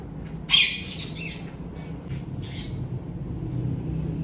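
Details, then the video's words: Hand-tame ringneck parrots, kept as pets: a loud, harsh, scratchy squawk burst near the start, running into a second rasping note, then a shorter fainter squawk about two seconds later, over a steady low hum. "Most Colorful Parrots Natural Sounds"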